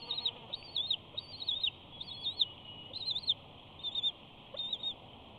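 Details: Wild adult bald eagle at a nest in Big Bear, chattering and preening close to the nest camera on 5 June 2019: a series of high, thin, wavering two-part whistled notes, repeated roughly every half second, over steady broadband hiss.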